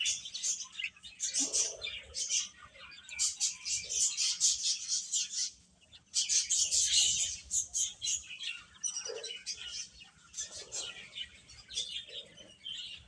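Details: Chicks eating and playing, long spell of rapid, repeated high peeps in dense clusters, with a short quieter gap near six seconds and some low clicking sounds.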